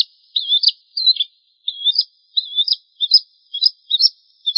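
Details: Bar-winged prinia training (master) recording: a run of sharp, high, buzzy chirps in quick bursts, about two a second, against a clean, quiet background.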